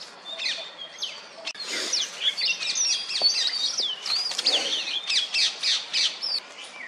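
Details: On a wooden stump, an Oriental magpie-robin ruffles its feathers and calls for females in courtship, giving a busy, rapid medley of sweet whistles and sharp chirps, with several notes repeating in quick succession.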